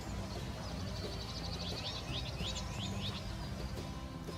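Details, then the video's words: A Common Whitethroat in Puy-de-Dôme, France, seen carrying a twig while building its nest, sings a brief, fast, scratchy warble of high chattering notes lasting about two seconds, over a steady low rumble and possible soft background music. "J'en profite pour vous faire entendre le chant de la fauvette grisette."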